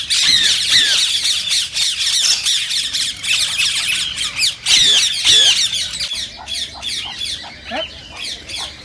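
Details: Green ring-necked parakeet calls, said to prompt singing and breeding in other parakeets: a long stretch of strident, scratchy screeches in dense overlapping bursts, thinning toward the end into scattered sharp notes.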